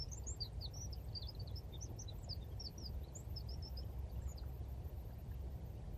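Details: Wren mating song from the Dnipro floodplain, Konche-Zaspa, Kyiv, Ukraine, 17 February 2023: scattered high, thin chipping notes for about four seconds, partly buried under heavy low-pitched rumble and wind-like noise.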